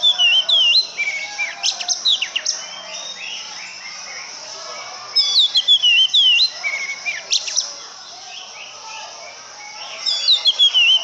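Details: Oriental magpie-robin pouring out repeated bursts of varied song. Each burst mixes twisting whistles, slurred notes and harsh chips, with quieter gaps of background hiss between bursts.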